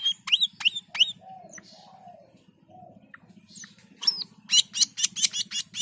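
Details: Black-and-white bulbul giving vigorous gacor song: three falling whistled squeaks, soft low slurred notes, then a quick accelerating series of harsh high chirps, a faint low hum throughout.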